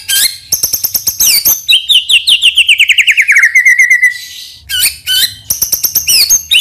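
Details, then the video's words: Caged white-rumped shama singing as a lure: rapid high chattering bursts, then a long trill of repeated notes sliding steadily downward, followed by more fast sharp phrases. "PANCINGAN MURAI BATU NEMBAK ISIAN INI | SHAMA BIRD"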